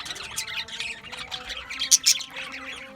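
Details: Budgies from Australia chattering in a continuous warble of high, scratchy chirps, with two louder squeaks near the end over a low steady hum.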